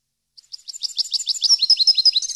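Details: European goldfinch song meant for training caged birds: a few soft chirps, then an accelerating stream of bright twittering notes climbing into a high trill.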